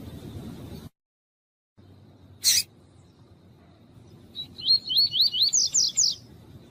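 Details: A double-collared seedeater sings in the tui-tui style, used by tournament breeders. A brief noise and a sharp burst come first, then a rapid run of looping, up-slurred whistled notes that grow louder toward the end.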